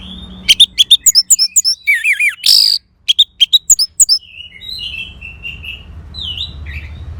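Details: Orange-headed thrush song, used as playback to prompt a silent bird to sing: a rapid burst of sharp, high chips and wavering whistles, then a brief pause. A faint warbling of more distant birds follows over low hum.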